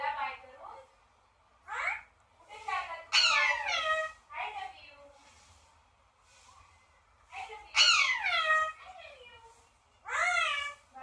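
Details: Parrot kept as a pet giving a series of bright, falling, nasal cries. Two loud peaks stand out among quieter, shorter squeaks and chattering notes.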